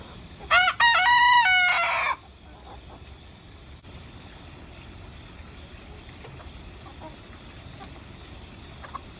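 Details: Domestic roosters crowing while chest bumping: one loud, harmonic, strained cock-a-doodle-doo in the first two seconds, breaking briefly then holding a long drawn-out note before cutting off, followed by quiet background with faint scattered noises.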